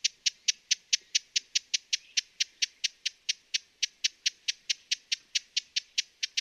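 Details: Loud, clear broad-billed hummingbird chips, dry and clicking, repeated in a brisk, regular series of roughly four to five per second, with a near-silent background.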